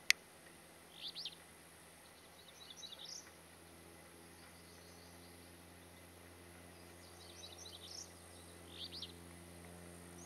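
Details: Alder flycatcher, Utah's first sighting, in Salt Lake City on 21 June 2022, giving faint, buzzy high song phrases in pairs a couple of seconds apart over a steady low hum.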